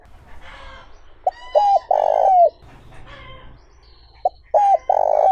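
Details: Spotted dove cooing, played to lure wild doves: two short clipped notes then a long, loud, steady coo ending in a falling slur, the phrase given twice, with faint background chirps from other birds.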